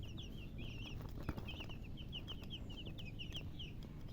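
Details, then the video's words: Baby chicks chirping: a steady run of high, short peeps, several a second and slightly falling in pitch, over a loud low rumble and a few soft knocks. "Baby "Chicks Chirping" Sound"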